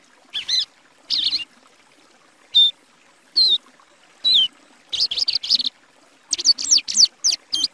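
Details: Plumbeous Seedeater (patativa), a Brazilian songbird, giving spaced high whistled and slurred notes, some falling in pitch, then a quicker run of varied chirps toward the end.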